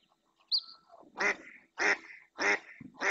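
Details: Insistent calling of a female mallard in Doñana marshland, Spain, drawing another female and two males closer; after a thin high whistle, three strong rasping quacks follow at roughly 0.6-second intervals, the last one clipped.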